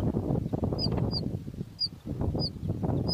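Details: Hungry bush lark chicks, two in a nest, give brief high-pitched peeps spaced irregularly over heavy low rustling and rumbling noise.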